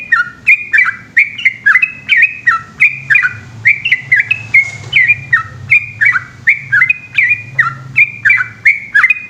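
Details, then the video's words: Long ropel song of a trucukan, the yellow-vented bulbul, given at night: an unbroken run of gurgling, bouncy two-part notes, each a quick drop then upward flick, with a faint low hum behind. "burung trucukan gacor ropel panjang dimalam hari"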